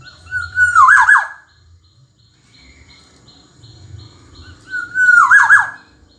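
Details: Kepodang emas, the Black-naped oriole, singing gacor: two loud fluted phrases about four seconds apart, each a held whistle melting into rapid rolling notes, over soft low background noise.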